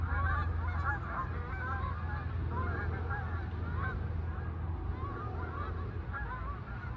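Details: Somewhat distant Canada geese landing and flying off, a steady stream of overlapping honks throughout, partly masked by broad low rumbling noise.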